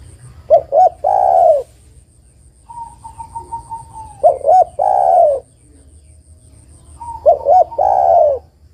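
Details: A spotted dove, described as a female calling to a male, gives three phrases of soft, mellow coos, each a pair of quick notes and a longer drawn-out coo, about every three seconds; faint low hum behind.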